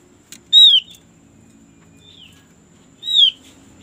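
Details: White-eye whistles used as a lure so birds begin singing fast. Two bright, high, downward-curving notes sound about two and a half seconds apart, with a quiet slurred note between them over a low background murmur.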